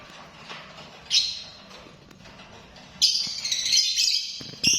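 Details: Lovebird giving harsh, high screechy squawks, one short burst then a longer rasping series lasting over a second, with faint background hum.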